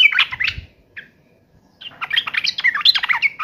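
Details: Yellow-vented bulbul singing in an agitated, fighting mood: a short burst of harsh, chattering notes, a pause with a single faint note, then a dense, tumbling run of squeaky phrases.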